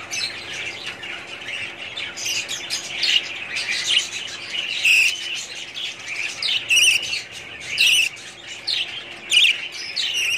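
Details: Budgerigars in a breeding colony, sharp squawking chirps bursting out every second or so above a constant bed of high twittering from the flock.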